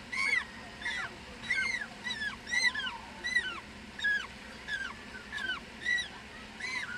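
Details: A one-month-old African penguin chick begging at the nest, calls and head shaking stimulating the parent to regurgitate food: short arched harmonic peeps, mostly single or paired, repeated roughly every half second to second over low background rumble.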